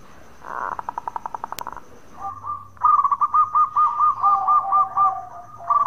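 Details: Zebra dove, local bird in strong voice, calling bekur to prompt other doves to reply: a rapid pulsed stutter, a brief pause, then a long run of rolling cooing notes ending in a fresh burst.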